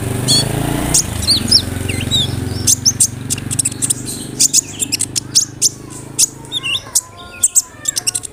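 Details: Sunbird singing, played to coax non-singing sunbirds into replying: thin, very high chirps and short twitters, sparse at first, then a steady series of sharp ticking notes over a low background hum.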